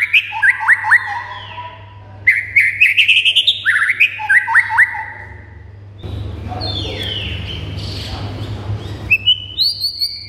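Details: White-rumped shama song meant to make a silent shama respond and sing excitedly: fast, varied whistled phrases sweeping up and down, dense chattering bursts, a noisier passage midway, then high clear notes, over a steady low hum.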